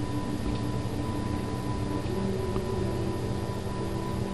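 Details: Steady low hum with a few faint constant tones and no clear animal sound heard.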